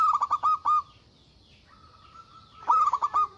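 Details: Local zebra dove, in full voice and loud, calling out to rivals with an agitated song: a rapid run of about five staccato cooing notes, then a long thin level tone, then another quick staccato burst.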